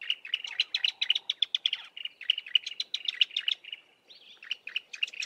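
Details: Duet from a bar-throated apalis pair in low bushes, the male's deeper call dominating: rapid high chirping runs broken by a brief pause, then a slurred rising note and more chirps.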